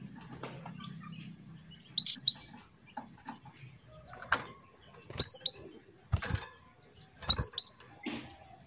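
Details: A female canary calls the male to stir him into breeding readiness. Three clear rising whistles about two to three seconds apart, with soft clicks and taps in between.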